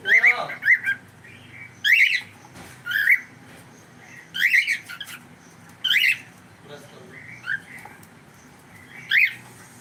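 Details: Cockatiel kept as a pet giving loud, sharp upward-sweeping shrieks, repeated singly every one to two seconds, with a few quieter chirps between them.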